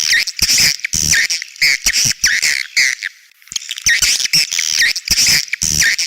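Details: Edible-nest swiftlet 'outside sound' (เสียงนอก) used with swiftlet houses: loud, continuous, harsh squawking chirps in quick pulses with a twittering layer, pausing briefly near the middle before resuming.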